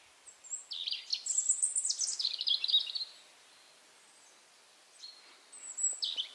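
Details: European robin singing in late April in Berezinsky Reserve, Belarus: a high, tinkling phrase of thin whistles and rapid trills lasting about two seconds, a pause, then a new phrase begins; faint background hiss.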